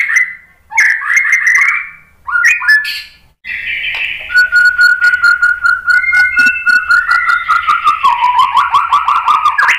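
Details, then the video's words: White-rumped shama provoking song meant to stir other shamas: clear, warbled whistle phrases, then a long, steady, level whistle overlaid with rapid ticking notes, ending in a fluttering run. "memancing BUNYI ‼️ MURAI BATU jadi NYAUT ikut GACOR"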